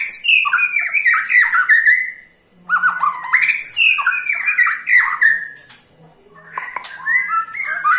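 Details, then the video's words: Ketrekan of a white-rumped shama, meant to set other shamas singing: bursts of harsh, raspy chattering with high squeaky notes, broken by a quiet gap around two and a half seconds and another near six seconds. "KETREKAN SAKTI!! || MURAI BATU MANAPUN PASTI TIDA MAU DIAM IKUT GACOR"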